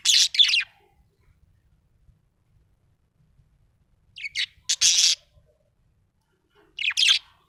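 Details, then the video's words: A happy pet budgerigar gives three short bursts of sharp, scratchy chirps separated by silent gaps of several seconds. "Happy budgie chirping sound"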